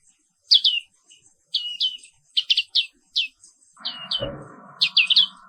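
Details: Morning song of the black-capped white-eye, a species endemic to Indonesia: short clusters of thin, high twittering notes separated by brief gaps. A steady mechanical hum begins partway through and continues under the final chirps.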